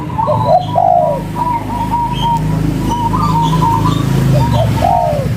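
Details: Local spotted dove (tekukur) in cetrekan-style calling, said to prompt a reply within five seconds: a few clipped coos, one drawn-out falling note near the start and another near the end, over a steady low hum.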